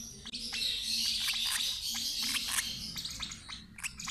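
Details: Continuous high chattering and rapid chirps from a lovebird being fed by an older sibling of the same parents, with a low hum underneath.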